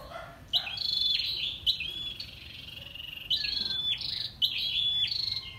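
A female scarlet-backed flowerpecker gives thin, very high, sharp ticking notes in quick clusters, repeated roughly every second, over faint background hiss.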